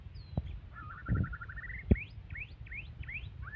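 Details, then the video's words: Aggressive white-rumped shama delivering a rapid wavering trill that climbs slightly, then a string of rising slurred whistles repeated about twice a second. Several loud knocks and a low rumble sound in the background. "murai batu galak"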